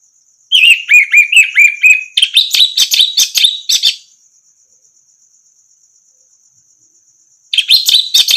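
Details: Orange-headed thrush song for training other birds: a run of repeated slurred whistles leads into a harsher, scratchy mimic-like chatter, then silence and a fresh burst at the end, over a continuous high thin buzz.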